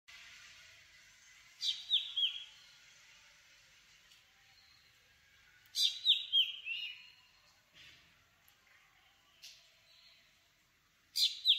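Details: Black drongo calling, a common resident of open farmland and light forest in tropical southern Asia; sharp high calls in bursts of three to four descending, slurred notes, repeated every few seconds over faint background hiss.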